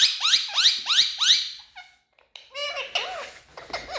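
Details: Indian ringneck parakeets kept indoors in a room, described as happy and speaking: four quick rising squawks in a row, then a pause and a run of fainter chattering, warbled notes.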